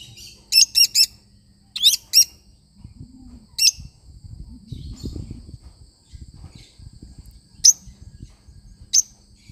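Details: Lovebird parrot making quick triplets of shrill high chirps, then scattered single chirps, with low rustling and handling noise in the middle.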